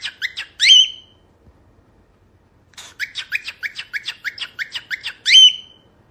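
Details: Cockatiel song made of fast strings of sharp chirps. A pause separates the strings, and each burst ends in a longer, louder, ringing whistled note.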